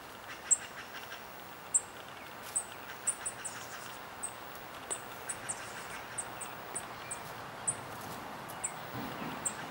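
A spotted towhee fledgling gives thin, very high begging notes, about one every second at an uneven pace, over a steady background hiss.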